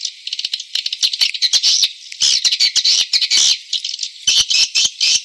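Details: Swiftlet calls made to lure swiftlets. Dense, buzzy high twittering comes in quick overlapping bursts, broken by sharp clicks, with no low sound at all.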